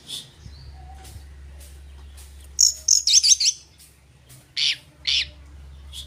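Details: Oriental magpie-robin used to lure and agitate rival birds: scattered thin high notes, then a fast trill of twisting whistles, followed by two harsh rasping bursts.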